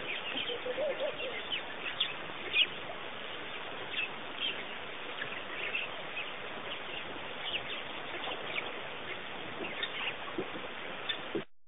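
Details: Wild birds at Pete's Pond, Botswana, a waterhole where masked weavers, spoonbills, sacred ibis, herons, storks and sparrows gather; scattered short chirps and twitters from several birds over a steady hiss of outdoor background noise, with one brief lower call early on.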